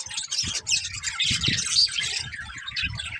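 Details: Several pet budgerigars chirping together: dense, scratchy warbling and chattering with short squeaky notes mixed in, continuous over a few seconds, with low thumping noises underneath.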